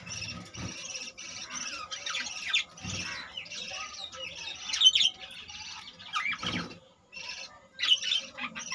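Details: Budgerigar colony with many newly hatched young, about 25 chicks, giving busy chirping chatter: overlapping high warbled chirps and squawks in bursts, brief quiet gaps, faint low rumbling beneath.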